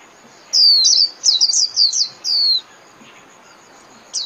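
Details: High, slurred whistles and clipped twittering notes from a Japanese white-eye, the song played daily to caged birds in training, running about two seconds before a drawn-out final note.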